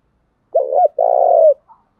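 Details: Decoy spotted dove meant to make wild birds call back, giving one phrase: a brief two-beat low hoot and then a long steady purring coo that dips at the end, with a tiny faint note after.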